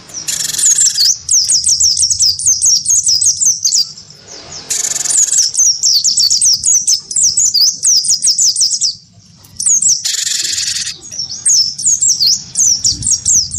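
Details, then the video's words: Caged cinereous tit of the wingko type, in heavy song against a white-eye in a sound fight. Long fast trains of high swooping whistles separated by several harsh, broad buzzes and a brief quiet break. "gelatik batu wingko gacor pancing bunyi tarung sama burung pleci"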